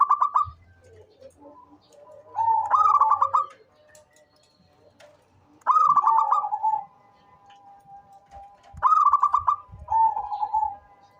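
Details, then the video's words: Local-type zebra dove, calling readily and suited as a lure, gives three full phrases about three seconds apart, each a burst of stuttered notes sliding into a steady lower coo, over quiet background. "SUARA perkutut LOKAL gacor cocok buat pancingan rajin bunyi"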